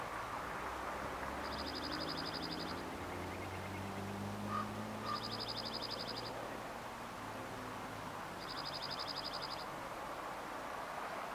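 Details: A male dark-eyed junco perched atop a tree beside a path in Alaska sings three dry, even trills on one high pitch, each over a second long, repeating about every three seconds over a low distant rumble.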